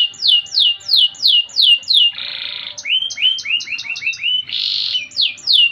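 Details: Energetic 'gacor' canary, 'cengkok mewah' (luxurious melodic) style: a run of falling whistles, a buzzy grating section, quick rising notes, another harsh buzz, then falling whistles resuming.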